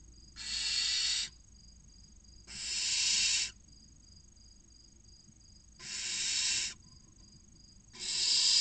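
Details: Inside a barn owl nest box in Cabañeros National Park, Spain, six chicks between 16 and 29 days old await a food delivery, giving four drawn-out, rasping hiss-screeches about a second long, separated by quiet gaps of one to two seconds.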